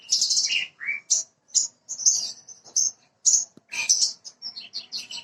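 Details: Bushlark of the parva type, branjangan, in a prompting recording: high buzzy chirps alternate with lower slurred whistles, delivered in short separate bursts with brief gaps, varied from note to note.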